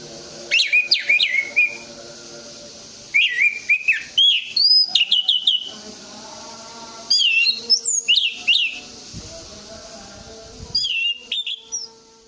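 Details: Orange-headed thrush singing, played to stimulate silent birds: bursts of bright, swooping whistles rising and falling, delivered in phrases separated by pauses of a few seconds, over a low steady hum.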